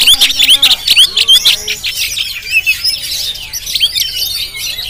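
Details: Jampang-type Oriental magpie-robin filmed on a GoPro, opening with rapid loud whistled slurs at several per second. These fade into softer, continuous high twittering.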